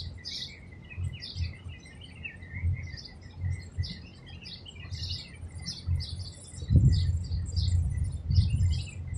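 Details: Madagascar hoopoe feeding chicks in a palm tree cavity, Abu Dhabi, UAE; spaced high chirps roughly once a second, a thin steady tone, and a brief louder thump near the end.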